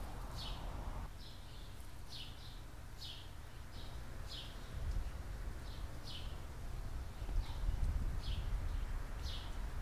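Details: Three chicks raised by a California scrub jay pair at their 2017 nest; sharp, high, descending notes come in a rapid irregular series while low-pitched background noise rises and falls.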